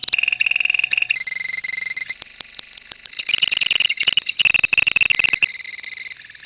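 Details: Lovebird colony in sustained ngekek: dense, shrill trilling from several birds at once, steady at first, then louder and busier with overlapping rattles, fading slightly in the last second.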